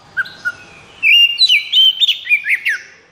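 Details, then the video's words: Oriental magpie-robin in high breeding drive ('konslet'), singing: two soft low whistles, then a continuous loud run of bright slurred whistles and quick warbled notes lasting about two seconds. "KACER KONSLET!"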